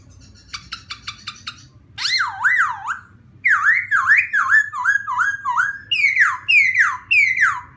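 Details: Laughingthrush singing to provoke another bird: a quick train of clicking notes, then loud, deep-looping whistles and a long string of rising-falling whistled phrases repeated roughly every half second.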